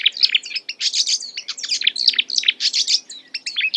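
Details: Marsh warbler mimicking other birds in a lively, unbroken flow of high chirps, trills and squeaky whistles, changing note shapes every fraction of a second.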